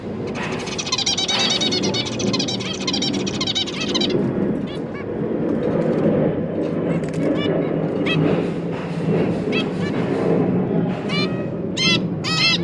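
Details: Zebra finch parents feeding three newly hatched juveniles, 1 October 2022; a dense stream of rapid high chattering for four seconds, then scattered nasal calls over a loud low rumbling background.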